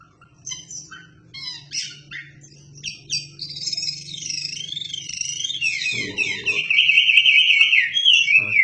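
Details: Wambi bird in a lively, energetic song used as tutor material for shamas: fast, varied high whistles, chips and trills, building into a loud sustained warble of sweeping, rising-and-falling slurred notes over a low steady hum.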